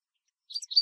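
American goldfinch giving a quick burst of three or four high, sweet, twittering chirps after a moment of silence; nothing else is heard.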